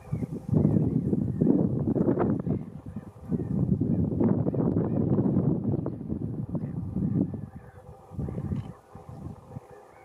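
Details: A glossy ibis at the Jakubovske fishponds on 20 March 2019 gives low, hoarse, guttural grunting croaks in long rough bursts with brief pauses and no clear notes.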